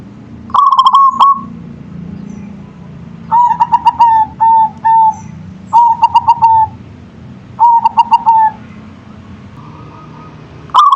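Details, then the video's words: Local perkutut (zebra dove) song, several phrases in succession: a higher staccato coo run, then lower-pitched phrases of quick notes each ending in a sustained trill, with brief gaps between them. "Suara Perkutut Lokal Manggung"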